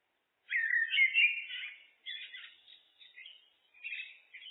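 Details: Common blackbird's looped song: a loud, rich, fluting phrase, then several softer, broken twittering notes spaced across the following seconds.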